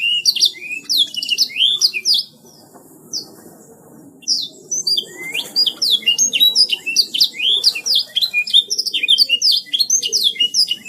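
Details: Canary singing gacor style: bursts of quick high chirps and slurred whistles, a short pause near the second second, then a long, fast, unbroken stream of bright twittering notes to the end.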